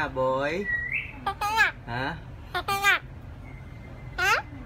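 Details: Indian ringneck parakeet, a talking pet parrot, producing a series of harmonic, wavering speech-like syllables and sharp squawks, with a person speaking Khmer nearby.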